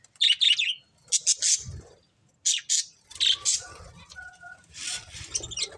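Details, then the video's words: Budgerigar breeding pair giving chirping calls: clusters of rapid high harsh chirps in quick runs, a pause, then more chattering, with a brief low thump and soft rustling. "Cute Budgies Chirping Sounds"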